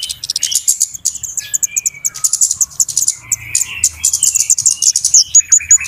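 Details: Flowerpecker lure calls for trapping birds: busy, very high-pitched ticks and sharp chips in fast irregular succession, with a few short lower whistled notes woven between them.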